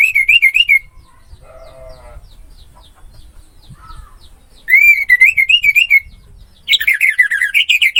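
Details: Orange-headed thrush song used as a training recording for cage birds: loud whistled phrases with wavering, trilled notes, followed after a quiet gap by a burst of rapid rising whistles; faint low murmurs between phrases.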